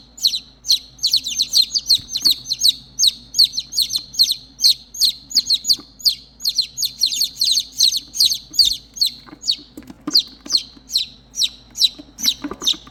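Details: Three motherless baby chicks peep insistently for their mother, a dense overlapping stream of piercing downslurred chirps, several per second, continuing without pause over a faint low hum.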